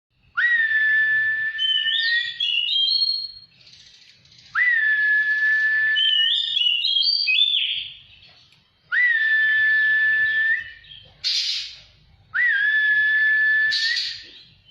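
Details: Oriental magpie-robin kept as a cage bird and put outdoors to sun in Indonesia. It sings repeated phrases about every four seconds: a long, pure, steady whistle followed by brief higher warbled notes, separated by short silences.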